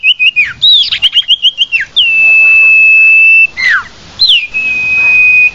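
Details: Common iora lure: a rapid string of short repeated whistled notes, then a long level whistle with falling slurs before and after.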